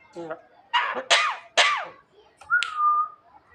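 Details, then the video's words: Javan myna imitating a person coughing: harsh broadband cough-like bursts, three in quick succession, followed by a sustained whistled note, with faint music in the background. "suara jalak kebo menirukan suara orang batuk"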